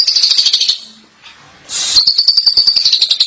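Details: Asian pied starling singing: a dense run of rapid buzzy chattering notes, a brief near-silent pause, then a harsh noisy burst leading into more fast, even chatter.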